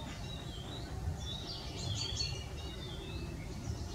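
A female Eurasian golden oriole gives high, scratchy, squeaky calls, strongest midway through, over a steady low rumble of wind or distant traffic.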